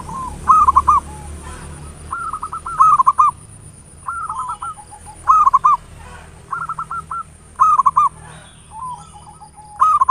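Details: Local zebra dove song played as a lure to provoke singing: repeated low cooing phrases of quick rolling notes, each ending in a longer note, about every 1.3 seconds across ten seconds, with a faint steady hum behind.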